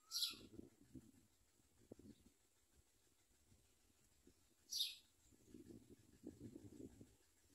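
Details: Common myna young fed locusts by adults: a brief falling whistle with a harsh hissing burst at the start, another raspy burst near the middle, and low fluttering rustles later on.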